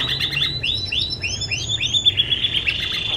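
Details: Pet canary singing as a training song for other birds: rapid high rolling trills and swooping whistled notes, shifting tour to tour, over a steady low hum.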